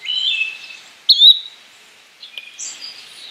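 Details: A single quick upslurred call from a yellow-bellied flycatcher sits between a lower warbled phrase at the start and scattered thin notes from other birds afterward.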